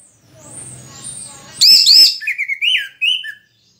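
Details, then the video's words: Moulting orange-headed thrush in full song, giving two loud, high, arched whistles followed by a run of quicker descending warbled notes, with faint background noise before. "anis merah 3 detik langsung bunyi"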